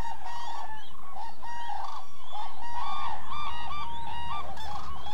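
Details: Flock of common cranes stopping over in an almond orchard in Israel's Hula Valley in November before crossing the desert toward Africa; continuous overlapping bugling and trumpeting, with many birds calling at once.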